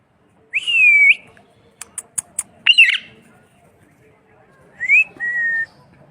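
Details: Parrot voice: a rising whistled note that levels off, then a quick run of sharp clicks, a harsh squawk, and finally a short rising whistle followed by a steady, even whistled tone in an otherwise quiet setting.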